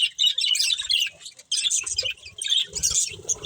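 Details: A breeding pair of budgies gives three quick bursts of bright, chattering chirps and squeaky warbles separated by short gaps, with faint low thuds in the background.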